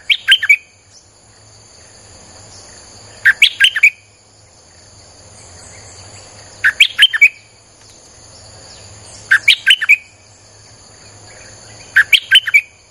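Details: Streak-eared bulbul singing nonstop as a lure for wild birds: five short phrases of four or five liquid chirps each, repeated roughly every three seconds, with steady high insect droning behind.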